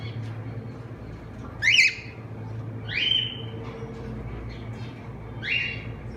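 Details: Semi-adult cockatiel pair kept in captivity in Madurai; three loud, rising whistled calls, the first buzzy and wavering, spaced one to two and a half seconds apart over a steady low hum.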